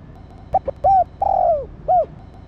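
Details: Female spotted dove calling to excite and stimulate a male: two short soft notes, then a brief arched coo, a longer coo sliding slowly downward, and a final short arched coo, over a low steady hum.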